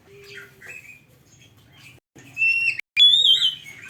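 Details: Oriental magpie-robin song: faint twitters at first, then a brief loud whistled phrase and a sharp click, followed by a ringing high warble, with a low buzzing hum throughout.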